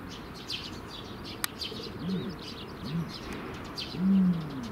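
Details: Ostrich at an ostrich farm giving three low, hollow, arching hoots about a second apart, the last one loudest and longest, while small birds chirp faintly and steadily in the background.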